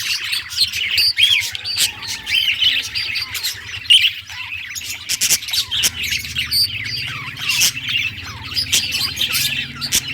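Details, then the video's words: Singing parakeet described as happy, keeping up a continuous chattering warble of tiny chirps, trills and squeaks for ten seconds, with frequent sharp taps and a low mechanical hum. "Budgie singing happy | Birds chirping | Parakeet happy life"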